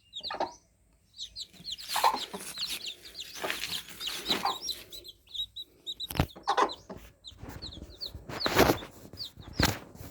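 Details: Newly hatched fluffy chicken chicks cheeping together: dense overlapping high, short, downslurred peeps, many per second, mixed with loud broadband knocks and rustling bursts.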